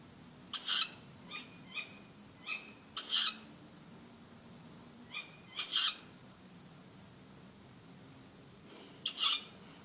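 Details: Near midnight, in the dark, an oak tree outside a house gives harsh, hissing screeches about every three seconds, with softer, short, higher chirps between, against a quiet background; listeners think it probably a tawny owl.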